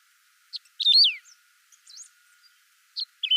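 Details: Saffron finch (canário-da-terra), clean recording without added sound effects: a few short bright chirps, then a loud sweeping whistled phrase falling in pitch, followed by scattered brief notes and quiet gaps.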